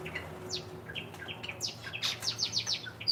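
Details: Caged zebra finches in an indoor bird room shared with Java sparrows, nesting with eggs and chicks: short, bright chirps and nasal calls come in quick, irregular bursts, busier and louder toward the end, over a low room hum.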